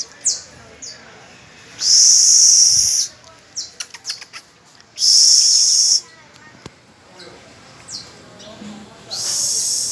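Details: Caged canary teaching young pupil birds on the first of May; two long, loud, steady high trills, with quick scattered chirps between them and a further rolling trill at the end.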